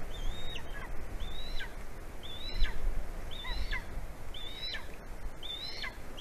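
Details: Golden eagle calling to its mate on a branch before mating, Latvia, February 2020 morning; a regular series of rising whistled yelps with falling tails, roughly one per second, over constant breezy noise.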